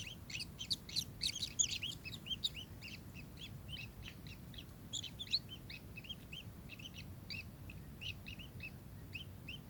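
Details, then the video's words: Kingfisher calling: a fast, busy series of short, high chirping notes that are sharply rising and falling, closely packed and overlapping, over a steady low rumble of background noise. "burung tengkek"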